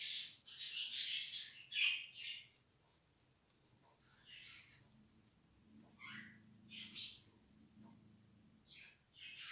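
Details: Young budgerigar chicks being hand-tamed, not hand-reared, indoors: a burst of harsh, buzzy squawks, then quieter scattered rasping calls over a faint low hum.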